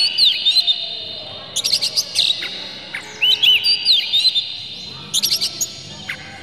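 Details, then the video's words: Provoking song of an Oriental magpie-robin, used to make other birds of its kind sing: high, slurred whistles alternating with rapid chirp clusters, delivered in four separated bursts over a quiet hiss. "dijamin kacer langsung ngamuk2 dengar kacer ini bongkar emosi buka ekor ngobra full isian"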